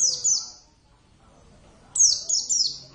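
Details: Caged Javan Oriental white-eye (Zosterops palpebrosus javanus) in lively singing form: high, thin descending whistled notes, one short phrase then a quick run of three sweeping notes after a pause, with faint background murmur.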